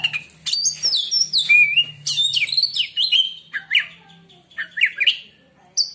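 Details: White-rumped shama, a kept songbird, singing a song said to silence other shamas: rich varied phrases of clear whistles, sharp upslurs and buzzy notes in quick succession, with a faint low hum beneath.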